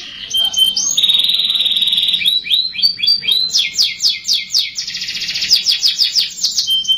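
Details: Canary song as a lure for young canaries to start singing: a thin high whistle, a sustained buzzy trill, then rising and falling runs of rapid repeated slurred notes.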